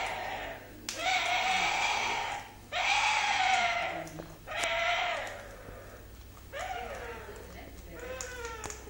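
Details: A pet orange-winged amazon making a strange noise while eating: a run of drawn-out, nasal, bleating moans, each about a second long, with short pauses between and some faint clicks.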